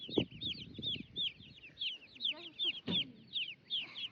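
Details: Baby chicks chirping as they roam about with turklings on a homestead: repeated high downward-sweeping peeps, about one a second from a clear caller amid others, plus soft scratching and a few knocks.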